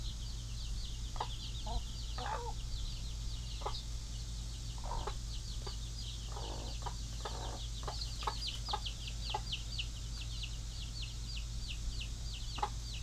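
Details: Mother hens tending their baby chicks in a pen while other hens roam outside: continuous thin chick peeps over soft scattered hen clucks and murmurs, with a steady background hum.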